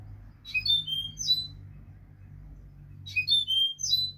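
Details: European goldfinch song used as a tutor recording for teaching young goldfinches: two bursts of high, twittering, tinkling notes, each lasting about a second and separated by a quiet pause, over a low steady hum.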